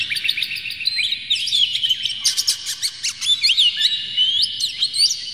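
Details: Oriental magpie-robin singing a rich, varied song with tail spread, used to stir other magpie-robins into song; nonstop high twittering with rapid chirps, clear whistled phrases and short trills packed closely together over a faint low background rumble.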